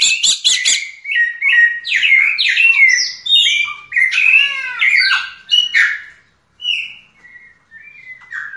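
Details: Yellow-legged thrush delivering diamante negro style song: opens with rapid high clicking notes, then rich warbled and slurred whistles, dense and varied, before trailing off into softer, thinner phrases separated by a short pause.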